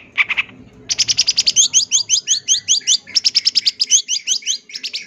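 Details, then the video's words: Long-tailed shrike with full-isian song meant for training birds: a harsh opening note, then a fast series of bright, rising whistled notes repeated almost three times a second, brief gap midway, over faint background noise. "MASTERAN SUARA BURUNG CENDET FULL ISIAN CENDET JUARA"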